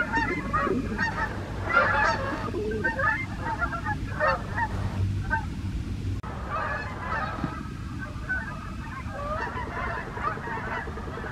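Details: Wild Canada geese in morning flight over the USA, a noisy flock giving bursts of overlapping honks roughly once a second, pausing briefly midway before resuming, over steady low-frequency background noise.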